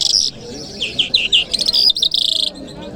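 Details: Dense three-second burst from a lark (Jal Mashhadi) in Kabul on a Friday morning: squeaky high notes tumbling into a fast stuttering trill near the end.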